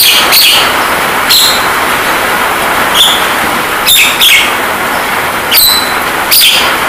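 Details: Javan myna masteran song meant to make caged birds sing and talk, layered over rain. Short whistled notes spaced about a second apart, some doubled, rise above a loud continuous rain hiss.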